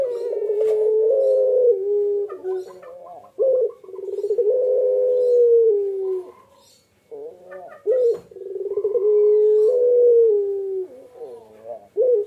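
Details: Barbary dove, the puter pelung type, calling while incubating eggs; long, low, drawn-out cooing phrases with wavering pitch, separated by short pauses and a few clicks, repeated through the stretch.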